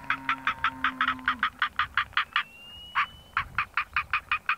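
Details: Northern black korhaan calling from an elevated mound such as a termite mound: a rapid run of harsh, rasping, buzzy clicks, about three per second, briefly pausing, with a steady hum and a thin whistle in the background.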